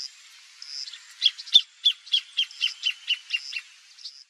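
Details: A wild Greater thornbird (Phacellodomus ruber), free in nature, sings a fast, loud series of about a dozen sharp, chattering notes, roughly three per second, high-pitched and slightly descending in pace, over faint background hiss.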